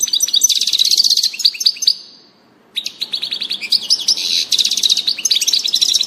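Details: European goldfinch in song on 16 June 2018, delivering fast, bright twittering phrases of high chirps and trills, a short silent gap, then a second extended burst of tinkling notes.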